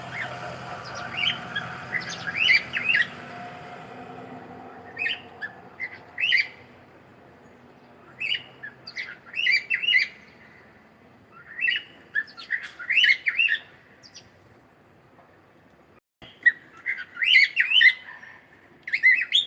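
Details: A pet cockatiel sings bursts of bright chirps and squawky warbles, pausing between phrases, with many sparrows nearby being fed; cockatiel.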